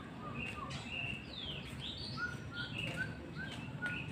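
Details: White-rumped shama song in the afternoon, a mix of clear whistled notes, some sliding up or down, with a series of short lower whistles in the second half, over steady low background noise.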